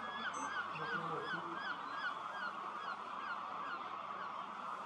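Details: At sunset, groups of hundreds to thousands of common starlings land together in a reed-field roost next to the Starrevaart birding lake. A loud, unbroken chatter carries repeated short downslurred whistles, with a few low honks early on.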